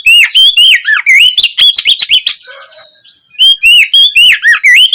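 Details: Lure song in ngeplong style from an Oriental magpie-robin, played in late afternoon to get others to answer: loud, rhythmic whistled notes about twice a second, a soft gap, then strong looping whistles again.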